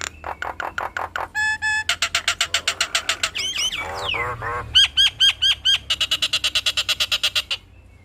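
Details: Nias hill myna kept as a cage bird, delivering rapid harmonic pulsed notes, a buzzy nasal phrase, swooping harsh calls, then evenly repeated sharp whistled notes about five per second.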